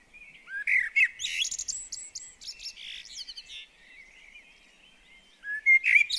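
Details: Song of a common blackbird at a garden bird table: low fluty notes lead into a busy, high-pitched chattering twitter, a quieter pause, then another loud warbled phrase begins.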